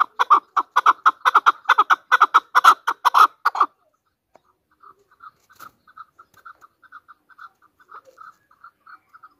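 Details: Hunter chukar partridge, national bird of Pakistan, giving a fast run of loud, harsh chuck notes for about three seconds, then a quieter string of short clipped notes spaced evenly to the end.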